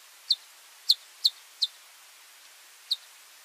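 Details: A male Long-tailed widowbird calling while displaying to a nearby group of females gives five sharp, high, dry chips at uneven intervals over a few seconds against a quiet background.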